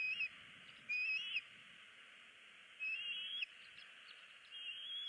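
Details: Wild bald eagle chick at a nest in Southwest Florida, 20 February 2016, begging for food for over an hour while its parents ignore it: thin, high, wavering whistled cries, about a third of a second to half a second each, over steady background hiss.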